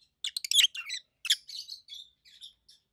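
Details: Loud shrill chirping from a pair of adult pet peach-faced lovebirds: a rapid cluster of harsh notes at the start, then softer trailing chatter dropping away over three seconds, indoors.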